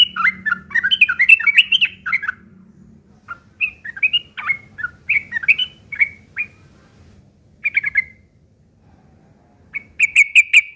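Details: Rough chattering of a yellow-vented bulbul, used to tutor long-tailed shrikes: a rapid tumbling run of harsh chirps, then scattered sharp notes and a final buzzy cluster, over a faint low hum.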